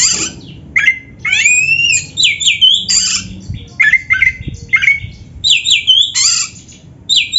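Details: Kacer singing with rich 'isian' mimicry content: bursts of rising and falling whistled slurs mixed with harsh squawky notes, delivered in short phrases separated by brief gaps.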